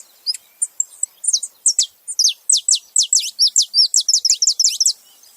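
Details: Several saffron finches together, starting with sparse high chirps that build into a fast, even run of crisp descending notes, about four per second, in clean quiet surroundings.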